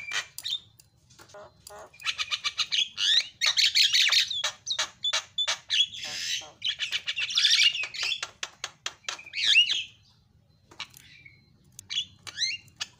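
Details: Javan myna (jalak kebo) in a masteran training recording with fill-in song meant to set other mynas calling: fast run of harsh, rasping chatter and clipped notes, with brief whistled slurs near the end and quiet gaps between bursts.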